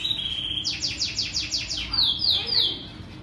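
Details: Canary in song: a sustained high note breaks into a fast descending rolling trill, then into quicker piercing repeated notes, all very high and bright over light background noise.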